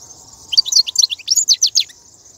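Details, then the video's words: Wild goldfinch 'batbata' from 2019, the twitter played to motivate caged goldfinches: one fast run of about fifteen bright, clipped, tinkling notes lasting around one and a half seconds, with steady background hiss. "بتبتة الحسون , (بتبتة برية 2019)"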